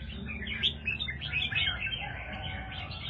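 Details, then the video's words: Red-whiskered bulbul of the Do Thái line, a kept songbird, delivering a lively run of quick whistled, slurred notes and chirps, clear and continuous over a quiet low hum. "chào mào Do Thái"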